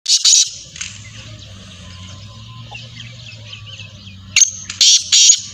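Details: Black francolin calling: a loud, harsh, rasping burst opens, then a quiet stretch with a steady low hum, then a grating series of three or four scratchy notes near the end.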